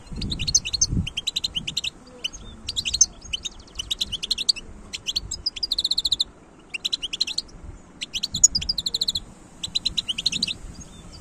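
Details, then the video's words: European goldfinch, a wild bird, recorded in 2022, delivering a lively run of rapid, liquid twittering phrases, each about a second long, repeated with short gaps throughout; faint low background hum beneath. "تغريد حسون خلوي"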